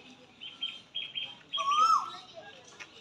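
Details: Asian koel calling in spring from a peepal or banyan tree beside a temple, recorded 5 April 2025. It gives one clear, rising whistled note. Other birds chatter with buzzy, harsh notes before it.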